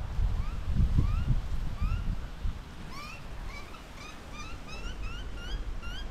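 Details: Crow chick in an Australian backyard being fed by a parent: a series of short, nasal, upward-slurred calls repeated about twice a second over low rumbling wind or handling noise.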